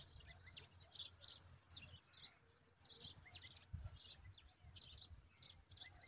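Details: A bulbul chick gets very excited while eating an oversized grasshopper, giving rapid, high, scratchy chirps in excited bursts, several each second, over a low rumble of background noise.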